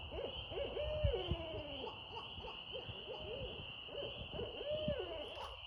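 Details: Barred owl hooting in clustered phrases of short arched notes, several ending in long level or falling drawn-out hoots, against a persistent high insect drone and low rumble.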